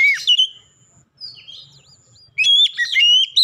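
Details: Kacer, the Oriental magpie-robin, singing a clear lure song meant to start other magpie-robins singing: a sharp downslurred whistle, a thin drawn-out high tone with soft warbles, then a bright run of rapid whistled notes.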